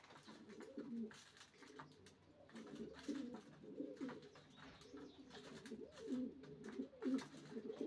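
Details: Several racing pigeons give low, throaty arched coos, one after another, rising and falling in pitch over steady rustling background noise.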